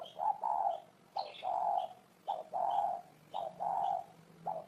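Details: Spotted dove cooing repeatedly, each phrase a short note followed by a longer low hollow coo, about once a second, with high thin bird chirps scattered between the phrases.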